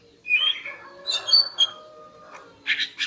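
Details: Female greater green leafbird calling in the morning to arouse a male: a rough squawking phrase with a few high whistles, then short buzzy notes near the end, over a low hum.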